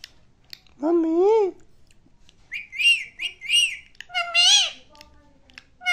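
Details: Talking Indian parrot indoors, saying "mummy": a lower wavering voiced syllable, then three quick bright arching notes and a final harsher rising-falling word.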